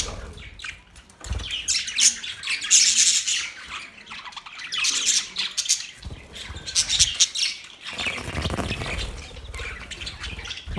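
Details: Budgies chirp and squawk in lively, high-pitched warbling bursts, separated by short gaps, with occasional low bumps in the background.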